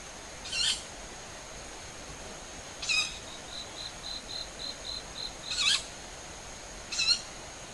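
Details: Owls moving tens of metres above a home garden on an early summer evening, 20 July near 19:40; four harsh, shrill screeches spaced irregularly, with a faint run of soft high, evenly repeated notes between them.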